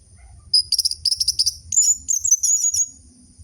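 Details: Orange-headed thrush song used as a lure to stimulate silent captive birds, featuring ngeriwik-style chatter: high, buzzy trilled bursts in quick series, then a rising, wavering run of rapid notes, with a faint low rumble beneath.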